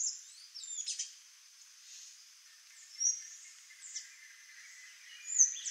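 Sayaca Tanager giving thin, squeaky, very high notes, scattered irregularly every second or so, over a faint steady background hiss.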